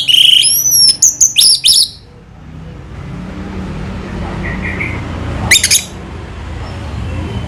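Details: Anis merah, the orange-headed thrush, in Indonesia: a two-second burst of high whistles and rapid stuttered notes, then near silence with faint rumble before a brief clipped chirping flourish.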